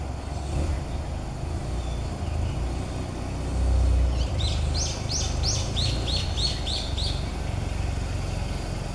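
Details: Probably a female blue rock thrush at early morning in the dark, giving a male-like song: a quick run of about ten high, clear, down-slurred notes in under three seconds, over a steady rumble of traffic. A chick later begs from her.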